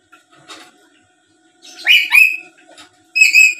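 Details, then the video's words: Black-capped lory calling, used as a lure so that a rival answers at once. After soft chatter come two loud, ringing whistled calls with strong overtones, the second one after a brief pause. "Suara Asli Burung Nuri Paltem Gacor Pintar Ngomong dan Ngoceh² Buat Pancingan"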